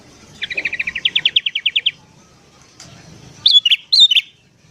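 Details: Sooty-headed bulbul in the morning, a wild-bird lure recording: a long string of quick, evenly spaced chips climbing gradually, silence, then two loud, liquid, bubbling notes.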